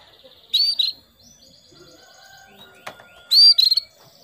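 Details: Female canary calling the male to prompt him to sing: two bright paired whistled notes at the start and end, separated by faint high twittering and a brief click.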